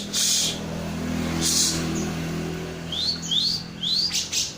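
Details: Cucak jenggot, the grey-cheeked bulbul, delivering three quick rising whistled phrases near the end, preceded by loud broadband bursts of rustling noise and a steady low hum.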